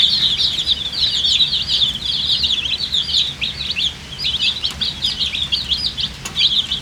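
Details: Thirsty coloured chicks peeping for drinking water, a busy stream of short, sharp chirps, many sliding upward, from several chicks at once, with a faint click near the end.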